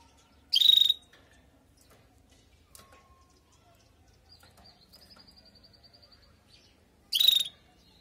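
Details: Female canary calling to stimulate a male canary after moulting: two loud, buzzy, pulsed chirps about six and a half seconds apart, with a faint, thin, high twittering trill in between.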